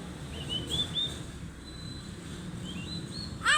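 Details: Turkey chicks giving thin, high whistled peeps that slur upward, a few in quick succession near the start and again later, with a sharp louder burst at the very end over low rumbling background noise.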